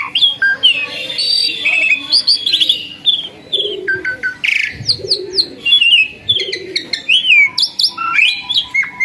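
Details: Captive myna, once skittish and now tame, singing energetically: a fast, varied stream of clear whistles, chattering notes and sharp upslurred calls, continuous for nine seconds with short bursts and brief pauses.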